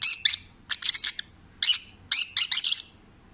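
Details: Relaxed, happy rescued peach-faced lovebird singing at home: high shrill chirps and buzzy chattering squawks in short clusters separated by brief pauses, the last burst a rapid triple chatter.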